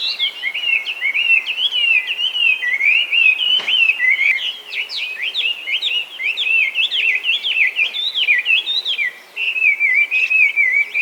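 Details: Chinese hwamei, an introduced invasive bird now breeding wild throughout Japan, singing on and on: fast varied whistles and sharp slurred notes in a continuous stream, a short break near nine seconds, a single click near four seconds.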